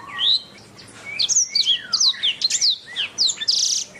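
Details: Canary master song for bird training: an opening rising whistle, then a dense run of looping descending slurs and chirps, closing with a harsh buzzy burst.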